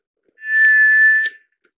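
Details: One clear, sustained monotone whistle of a White's thrush (tiger thrush), swelling smoothly and ending after about a second, with a tiny click near its end.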